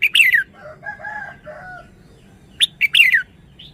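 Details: Loud, bright, bubbling phrase from a red-whiskered bulbul, then softer lower warbled notes, and a second quick liquid three-note phrase, ending with a faint high note.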